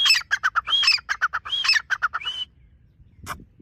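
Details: Dakhni teetar partridge calling in a rapid run of sharp clipped notes mixed with arched whistles, stopping abruptly, followed by a single faint tap.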